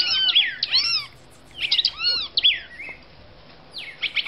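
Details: Female red-crested cardinal from Brazil singing short bursts of arched, sliding whistled notes in quick runs, pausing between phrases, against a low steady background hiss.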